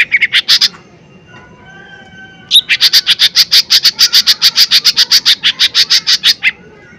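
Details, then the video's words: Lesser green leafbird singing hard as a provoking lure: a few quick high chips, a pause with soft low whistles, then a sharp squeak launching a steady run of about twenty-five rapid, evenly spaced piercing notes. "Pancingan Cucak Ijo Mini Gacor Full POWER Tembakan keras Mancing Emosi"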